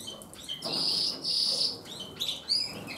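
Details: Captive Gloster canary breeding pair preparing to breed: high, bright chirps and a sustained buzzy, trilled phrase in the middle, followed by sharp whistled notes, with faint soft rustling behind.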